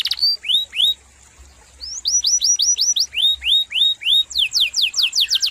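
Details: Canary song in bursts of clear upslurred whistles, a short pause, more whistle groups, ending in fast descending sweeps.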